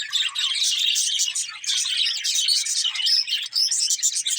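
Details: A group of budgies keeps up unbroken, busy chatter, layering quick shrill chirps and warbled twitters with barely a pause throughout.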